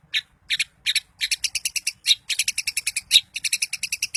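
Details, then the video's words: Long-tailed shrike, Daput type, song used to rouse other shrikes: paired scratchy chirps at first, speeding into a dense rattling chatter of rapid metallic notes. "Cendet Manapun bakal GACOR dan EMOSI dengan kicau Cendet Daput Ini"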